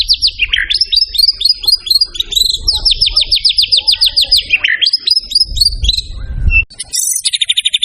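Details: White-rumped shama in a master song full of material: long rolling trills of rapid, evenly spaced notes, interrupted by swooping whistles and chatter, ending with a high tinkling burst, steady low background rumble.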